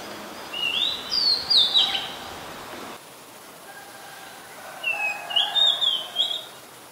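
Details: In Ubon Ratchathani, Thailand, a very common resident Oriental magpie-robin sings on 2 July 2022, Nikon P1000: two clear phrases of quick, looping whistles with a short gap between them, light background hiss.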